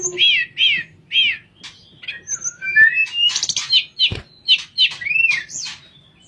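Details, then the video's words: Sooty-headed bulbul singing in the flute-like nyuling style, kept for tutoring other birds: three matching arched whistles, then a quick run of varied chirps and rising, sliding whistled notes. "Burung Tledekan Suara Nyuling Buat Masteran"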